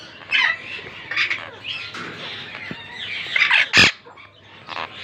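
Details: A pet pair of monk parakeets in their first breeding season chatter together in harsh, scratchy squawks and quick chirps, with one loud screech near the end.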